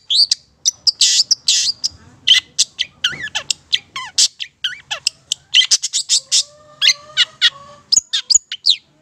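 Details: Actively singing Long-tailed Shrike from Madura, recorded as a tutor and lure for other birds; a long, lively, varied stream of squeaky chips, swooping whistles and harsh buzzy notes, with a faint thin tone running underneath.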